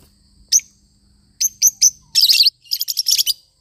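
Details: Lovebird parrot calling with sharp high chirps, a few single notes then a dense burst of rapid twittering and quick repeated chirps in the last second.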